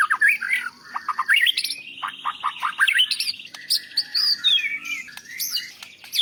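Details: White-rumped shama singing in a rich medley meant for tutoring other songbirds: warbled notes, a buzzy sustained tone, quick repeated trills and high squeaky phrases.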